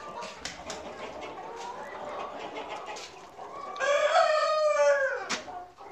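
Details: Australorp chickens on a farm: low, murmuring clucks from several birds, then a loud, drawn-out rooster crow lasting over a second that holds a strong, level pitch before dropping away, followed by more soft clucking.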